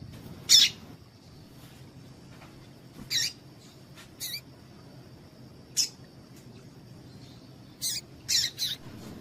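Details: Female double-collared seedeater (coleiro tui tui) calling to excite males: short, sharp, high chirps in isolated single notes and a quick cluster near the end, spaced irregularly, over a steady high whine and low background hum.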